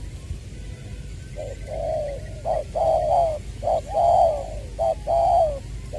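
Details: Decoy spotted dove, Trà Vinh, Long Đức, Vietnam, February 2021, voice style "Chuẩn Giọng Tiểu"; after a quiet start, a rhythmic series of cooing phrases, clipped notes alternating with longer falling coos, growing louder toward the end.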